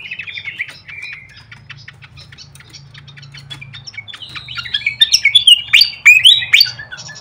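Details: Flycatcher lure call used as a training recording for birds: thin high chirps and short sweeping whistles, sparse at first, then a dense burst of rising and falling whistled notes near the end, over a steady low hum.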